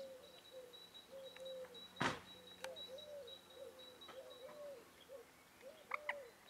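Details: On 4 April 2024 at Valle Canal Novo, Marano Lagunare, several Eurasian teal give short, soft arched calls about every half second, overlapping, with a sharp knock and a faint steady high tone.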